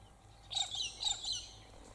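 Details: Sulphur-crested Cockatoo feeding among pine cones and wattle trees gives two harsh, raspy screeches, each about a third of a second long, over a faint background hum.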